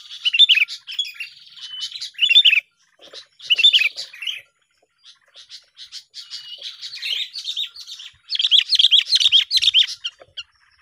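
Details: Sooty-headed bulbul song used to lure birds for trapping: loud, clustered chirps and warbled phrases with pauses, ending in a dense, rising burst of twittering.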